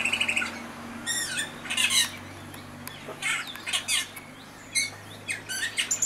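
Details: Austral thrush song of squeaky, raspy notes and sliding chirps in uneven bursts, several bright high phrases and a brief trill, over a steady low electrical hum.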